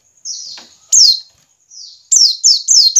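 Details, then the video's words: White-eye ngiriwik call for stimulating caged white-eyes: faint thin whistles followed by loud sharp descending chirps, the last four coming in rapid succession. "pancingan pleci ngiriwik agar cepat ngalas dan gacor"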